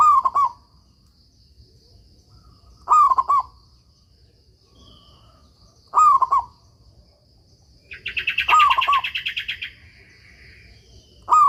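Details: Local Zebra Dove cooing, recorded as a master song for training doves that stopped singing; five evenly spaced phrases of a rising note and quick stutters, with a loud buzzy rattling sound from another creature overlapping one phrase.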